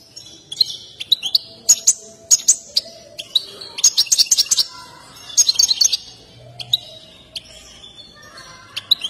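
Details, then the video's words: Excited European goldfinch singing while dancing, a display favoured by breeders; bursts of rapid, high twittering and tinkling chirps with sharp metallic notes, coming in clusters separated by brief pauses. "تغريد حسون هائج"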